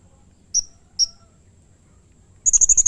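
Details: Blue-crowned hanging parrot giving a rough, agitated call that excites rival hanging parrots; two isolated thin, very high whistled notes, then after a pause a rapid run of sharp, shrill chips.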